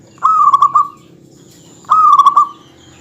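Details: Zebra dove from a local stock singing to stir up a rival: two matching trilled coos about a second and a half apart, each stuttering in quick pulses on a steady pitch.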